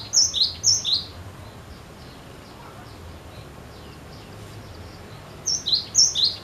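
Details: Cinereous tit in full voice, singing to prompt others to sing: two sharp descending two-note whistles, a long quiet gap, then three more in rapid succession.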